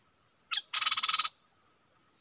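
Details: Caged stripe-throated bulbul recorded on 7 June 2021: one short high note, then a rapid buzzy rattle of about a dozen pulses lasting half a second, over faint steady background tones.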